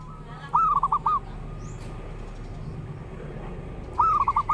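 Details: Zebra dove song, a lure and master recording: two stuttering coo phrases about 3.5 seconds apart, each a rising note then several rapid coos, over steady low rumbling noise.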